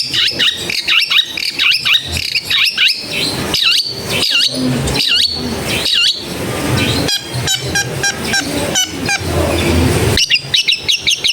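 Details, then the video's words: Long-tailed shrike singing near a house in a crowded neighbourhood, used to prompt reluctant birds to sing: fast varied chatter of looping, rising and falling whistled notes, harsh squawks and rapid trills, with steady background hum. "TERBUKTI TERAPI CENDET MALAS BUNYI LANGSUNG NYAUT"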